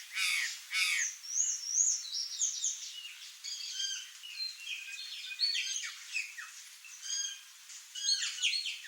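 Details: Wild curl-crested jay, known in Brazil as gralha-do-campo, opening with two loud harsh squawks, then a busy run of chattering, clicking and whistled notes overlapping through the rest, a lively group of calls outdoors.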